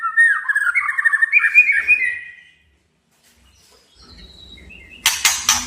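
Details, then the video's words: Male white-rumped shama challenging a rival: a rich warbled, trilled phrase for two seconds, quiet gap, then harsh broadband chattering notes. "Suara kicau Murai Batu Panggil Lawan agar EMOSI DAN KELUARKAN ISIAN!"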